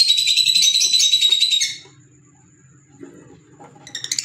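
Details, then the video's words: Pet green Fischer's lovebirds producing an intense, shrill, rapidly pulsed high chatter for under two seconds, then near silence with faint low room noise before a few sharp chirps return. "Fisher Love Birds Sound | African Lovebirds | Green Fisher Love birds Voice"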